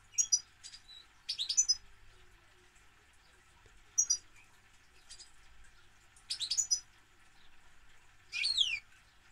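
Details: European goldfinch singing: short bursts of high, tinkling, twittering notes come in separate phrases about every two seconds, with quiet pauses and a faint steady hum in between.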